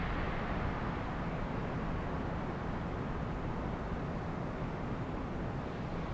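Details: Steady broadband engine rumble from distant traffic or aircraft fills the recording, with no animal calls.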